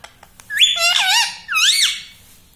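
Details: Pet parrot mimicking the words mummy papa: two loud, drawn-out harmonic phrases, the first flat then wavering, the second arching up and down, in a small room.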